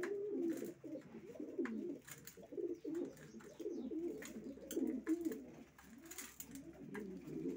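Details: Racing pigeons cooing: low overlapping crooning coos that rise and fall, several birds calling together, with scattered sharp clicks and wing or foot taps in between.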